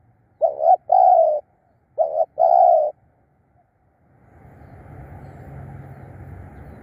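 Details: Spotted dove used as a decoy to lure wild birds, giving two cooing phrases, each a short doubled note and a longer mellow coo, followed by rushing broadband noise.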